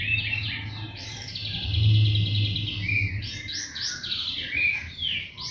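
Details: White-rumped shama lure song, played to provoke other birds into singing: bright high whistles and rapid warbled phrases, with a strong low hum running beneath the first two seconds.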